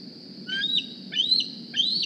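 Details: Young bald eagle hatched in April 2020 at the Decorah nest, flying to the nest in the morning squeeing for a meal: three high whistled squeals, each rising then breaking downward, over a steady low hum.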